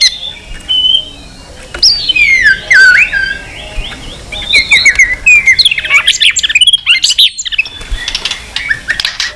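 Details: White-rumped shama singing its fighting song with many voices: bright slurred whistles and warbled phrases that shift pitch constantly, ending in dense twittering and quick chattering notes.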